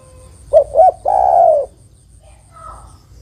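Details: Female spotted dove calling the male: two short rising coo notes followed by one long, level, hoarse coo, all low-pitched. A faint, steady high ticking runs underneath and a soft, quieter note follows.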